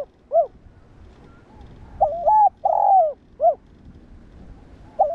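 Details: Spotted dove cooing to stimulate other doves: a lone short note, then a full phrase of a wavering coo, a long coo and a short final note, and the start of another phrase.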